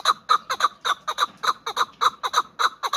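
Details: Loud repeated chuck-chuck calls of a young hybrid fighting partridge, notes often in pairs and delivered at a quick, regular pace with strong harmonic overtones.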